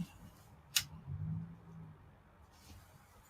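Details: Quiet indoor room tone with a low hum, one sharp click near the start and faint soft rustles, with no animal voice.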